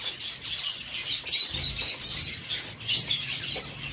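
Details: Zebra finches eating seeds, giving a busy stream of short, high, nasal beeping calls that overlap from several birds, with bursts every half second or so and faint low rumbling beneath.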